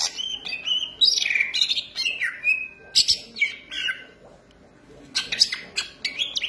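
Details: Green leafbird in lively song, with rich warbled whistles rising and falling, clipped chirps mixed in, a brief lull, then another burst of sharp notes.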